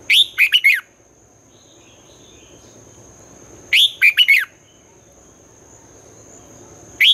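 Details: Red-whiskered bulbul competition song in the twisting-voice style, sung in the morning for training birds. Two crisp phrases of four looping, warbled notes about three and a half seconds apart, a third starting at the end, and a faint steady whine.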